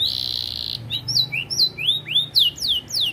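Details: Canary, an AF competition bird, singing isian style: a steady buzzy tone at first, then varied slurred whistles, some rising, some falling.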